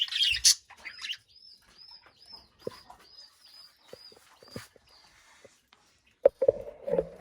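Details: Caged budgerigars: a loud scratchy chirp burst, then a string of thin, high, arched whistles repeated about every third of a second, ending in low nasal chatter and clicks.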